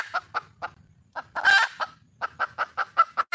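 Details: Wild red junglefowl hen calling for a male: a run of short, clipped clucks about every fifth of a second, broken midway by one louder, harsh squawk, then the steady clucking resumes.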